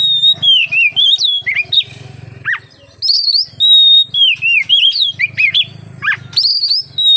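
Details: Oriental magpie-robin (kacer) singing energetically, used as a lure to prompt other magpie-robins to sing; loud clear whistled phrases around high pitch, slurred rising and falling notes with sharp downward sweeps, short pauses between bursts, faint low hum beneath.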